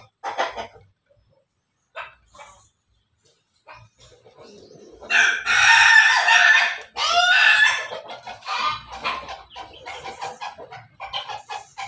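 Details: Backyard chicken, a Pelung–Bangkok cross, gives a loud, drawn-out crow with bright harmonics and a rising, wavering second phrase after scattered quiet clucks, trailing off into choppy softer notes.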